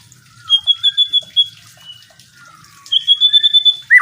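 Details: White-rumped shama song played to train songbirds: two bursts of rapid, evenly repeated high piping notes on one pitch, separated by a quieter pause, ending with a loud slurred note.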